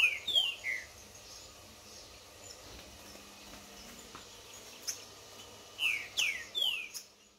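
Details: Green-winged saltator (Saltator similis), a contest bird warming up in the woods, singing in a duel with a free wild rival: two short bursts of clear, downslurred whistles over quiet outdoor hiss.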